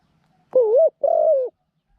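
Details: Spotted dove kept as a new decoy bird for trapping wild doves with a pen trap, said to have a small voice and coo well; two low, smooth coos, the first wavering, the second long and slightly falling.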